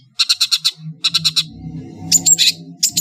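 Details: Long-tailed shrike of Madura origin singing energetically in a varied master song: two bursts of five rapid, harsh, buzzy notes, then higher scratchy notes with a thin whistle, over a low background hum.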